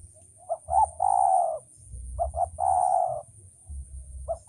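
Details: Male spotted dove cooing in a training recording: brief clipped notes run into a drawn-out low coo, the phrase given twice, with a third starting at the end, over faint low background rumble.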